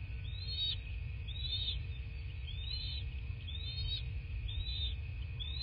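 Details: Nest-camera sound from a southwest Florida bald eagle nest, morning of 14 March 2024: six high, rising-then-falling piping notes spaced about a second apart, with a constant low rumble underneath.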